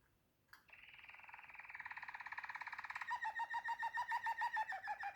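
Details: Waterslager canary trill: after a short pause, a low, continuous rolling tone builds in loudness, then breaks into a steady rapid series of bubbling notes, about three and a half per second.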